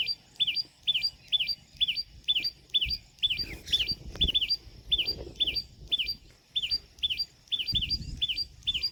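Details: Common tailorbird calling to other tailorbirds or warning of danger: sharp, high, zigzag chee-up notes repeated steadily about twice a second, roughly seventeen in a row, over a low background rumble.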